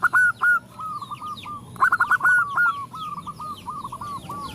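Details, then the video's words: Zebra dove female calling males while others respond; two loud clipped coos open, then a rapid stuttering rolling phrase runs on, echoed by quieter doves, with small birds chirping high overhead. "Perkutut betina memanggil jantan bikin semua perkutut ikut bunyi"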